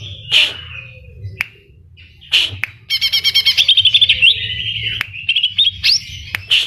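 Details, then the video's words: Greater green leafbird in lively song stuffed with imitated kapas tembak and cililin phrases: sharp whistled bursts and clicks, then a rapid run of about twelve ringing notes flowing into slurred whistles, over a soft low hum. "Cucak Ijo Gacor Full Isian Tembakan Kapas Tembak dan Cililin"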